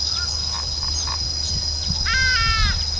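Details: Male southern red bishop in breeding plumage, recorded at Vryheid, South Africa, on 2 December 2011; a brief burst of stacked, slightly descending harmonic notes near the end, over a steady high whine and low background rumble.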